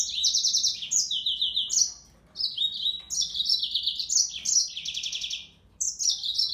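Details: Yellow-fronted canary delivering dense high trills and buzzy runs in stepped pitches, broken by two short pauses, with the song resuming right at the end.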